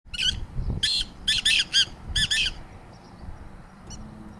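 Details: Black francolin pair: a harsh grating series of about eight rasping notes in quick uneven bursts, then fading, over a low rumble.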